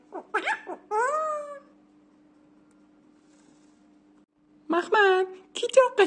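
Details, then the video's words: Indoor pet myna, aged two, speaking taught phrases: a short burst of speech-like syllables with one long falling tone, a pause of several seconds, then another rapid run of words. "مرغ مینا سخنگو"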